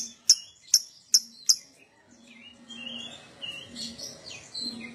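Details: Lovebird lure recording for prompting other lovebirds to ngekek; four sharp, very brief high chips about half a second apart, then softer scattered whistled notes over low background noise.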